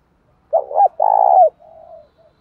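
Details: Single spotted dove phrase from its 'thúc đấu' challenge call, used to rouse decoy birds. A choppy double coo runs into a longer, steady low coo, then trails off in a fainter, thinner tail note.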